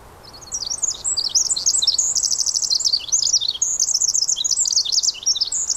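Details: Rain-soaked Pacific wren song from the Squamish River Estuary, a long high-pitched stream of bubbling trills, buzzy rattles and squeaky notes run together at great speed, steady rain hiss underneath.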